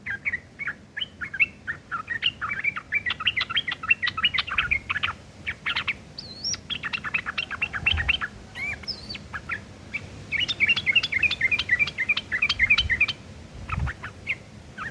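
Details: Sooty-headed bulbul giving rough 'ngeriwik' chattering, used as tutor material for long-tailed shrikes: dense, scratchy bursts of rapid chatter, with brief thin higher whistles near the middle, over a low steady background hum.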